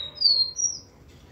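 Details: Rufous-collared sparrow song, a pure whistled note held steady, then a higher thin whistle, brief and clear against quiet background.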